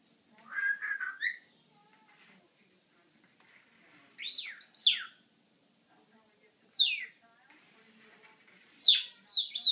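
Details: Pet parrot making sounds indoors: short separate bursts of sharp, rapidly modulated whistles and squeaky chirps, some sweeping steeply downward, four groups spread over about ten seconds with silence between.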